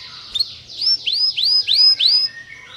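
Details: Canary singing, its song said to stir up a neighbour's canary: a run of five rising, upswept whistled notes around the same pitch, each about a third of a second, with faint softer chirps before and after.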